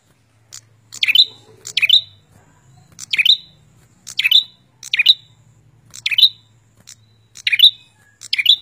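A prinia gives sharp, high chirped notes, each with a quick falling twist, repeated about once a second over a faint low hum.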